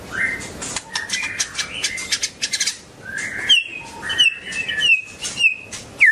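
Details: White-rumped shama in varied song: rapid whistles and clicks, then clear rising and level whistled notes repeated in a quick series.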